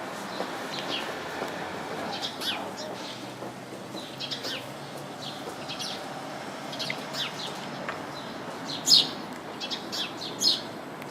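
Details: Chirping house sparrows in a crowded bush, sparse and fairly quiet: scattered thin chirps with a couple of sharper, louder notes near the end against a soft hiss.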